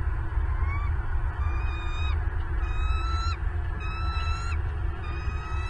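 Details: Bald eagles at a nest camera in Southwest Florida on 8 December 2022 at 09:32. A series of thin, whistled, chirping calls with harmonics repeats about every second, over a strong, steady low rumble of wind or equipment noise.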